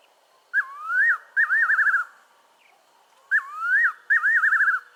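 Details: Fiery-necked nightjar in southern Africa giving two whistled phrases, each a slurred rising note followed by a quavering, tremulous trill that falls away, repeated about every three seconds.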